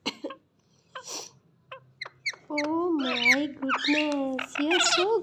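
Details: Parrot talking indoors. Clicks and short squeaks lead into voiced, speech-like phrases with wavering tone and harsh, raspy syllables, growing louder and more continuous in the second half.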